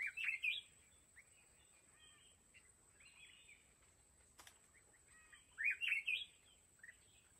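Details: Red-whiskered bulbul used as a trap decoy for mountain bulbuls gives two brief, quick warbled phrases, one at the start and one near the end, with quieter chirps between them over faint background hiss and a single sharp click.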